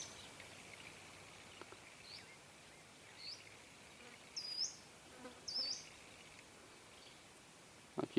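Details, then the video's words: Wild female ultramarine grosbeak (azulão da mata) in the bush: a few short, sharp high chips at irregular intervals, two louder ones about a second apart midway, over a steady insect hum, ending with a sudden knock. "femea de azulão da mata na natureza"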